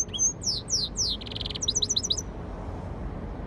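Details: Caged hybrid of a yellow-fronted canary (Mozambique) and a canary singing: high whistled descending slurs repeated rapidly, a brief buzzy rattle, then a quick series of short rising notes, over a steady background hiss.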